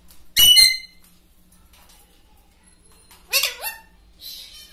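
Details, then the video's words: Indoor pet talking parrot: one loud rasping squawk, then a quiet pause and a brief mimicked speech-like phrase of two gliding syllables, ending with a soft hissy sound. "Parrot talking"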